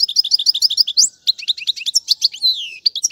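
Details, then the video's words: Goldfinch tutoring song for young birds: a quick series of evenly spaced bouncing chirps, followed by jumbled twitters and a drawn-out descending slurred whistle. "أفضل تغريد الحسون"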